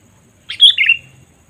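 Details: Sooty-headed bulbul lure call for attracting wild birds: one loud, quick, warbled phrase of three or four run-together notes dropping slightly in pitch, with a faint low hum behind.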